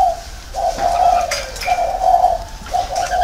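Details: Spotted dove kept as a caged decoy in a round cage, uttering soft, hollow coos: a brief note, a long sustained coo, then further drawn-out notes in close succession.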